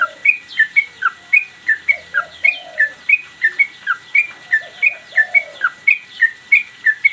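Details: Master recording of a lively singing trucukan (yellow-vented bulbul) for training cage birds. Crisp high chirps fall steeply and repeat in a fast, even series of about twenty notes, with soft lower warbling notes in between.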